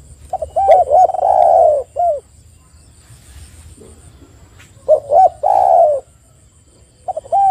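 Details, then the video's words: Spotted dove cooing as a lure for other doves: clipped hooked notes run into long smooth coos. Two full phrases with a quiet gap between them, and a third phrase begins at the end. "PANCINGAN TEKUKUR AGAR BUNYI dalam 1 menit"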